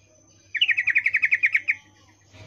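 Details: Yellow-vented bulbul female in breeding condition using the 'ngecuplik' call to attract a male: one clean rattling run of about twelve quick, evenly spaced buzzy notes lasting just over a second.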